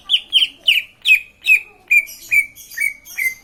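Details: Green leafbird repeating a clear, slurred whistled note that drops in pitch, about two to three per second in a steady run of nine, with a quiet background.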